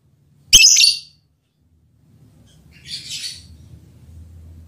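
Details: Lovebird mating call directed at a male partner: one loud, shrill, rasping chirp, then a fainter scratchy call amid a low steady hum.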